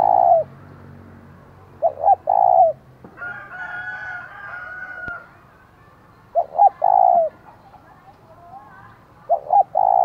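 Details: Caged decoy spotted dove in the 'giọng thổ' voice style, giving a loud provoking call meant to draw wild rivals: a low cooing phrase of two short notes and a long hoarse coo, repeated four times, with a rooster crowing in between.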